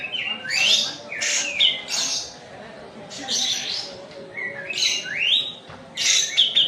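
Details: White-eye (kapas tembak) from Medan in full, fast rolling song: dense bursts of high chirps and upslurred whistles repeated every second or so, separated by short pauses, over a faint constant hum.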